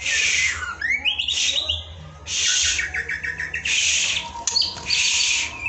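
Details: White-rumped shama song used to train other shamas: harsh, buzzy, broadband bursts lasting about a second alternate with quick twittering and rising whistled notes.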